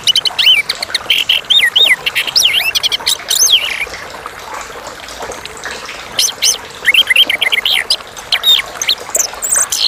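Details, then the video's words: Clear-voiced song of a Chestnut-capped thrush (anis kembang): dense, fast strings of varied high whistles, upslurred and downslurred notes and chattering squeaks, delivered in near-continuous phrases with brief gaps, over a faint rushing background. "Anis kembang / Geokichla interpres (suara jernih)"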